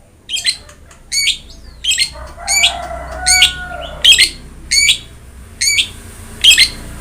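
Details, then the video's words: Long-tailed shrike in full song, used as training audio to prompt a quiet captive bird to sing: harsh, ringing two-part notes repeated roughly every 0.7 seconds, with a faint lower whistled tone in the middle. "BURUNG CENDET GACOR| Masteran Wajib Untuk Burung Cendet Malas bunyi"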